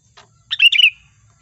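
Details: Sooty-headed bulbul (kutilang) lure call used for trapping, in a lively 'gacor' style: a short burst of bright, chirpy, slurred notes in quick succession, after a faint click, against an otherwise quiet background.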